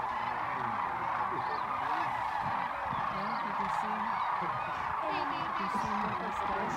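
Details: Large flock of sandhill cranes flying in to rest at Whitewater Draw, southeastern Arizona, on January 19, 2019. A dense, continuous chorus of rolling, rattling bugles from many birds overlaps with no break.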